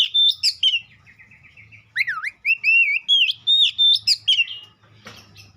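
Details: White-rumped shama song with clear whistled notes, a swooping dip-and-rise phrase and quick warbled runs, followed by a brief rattle at the end.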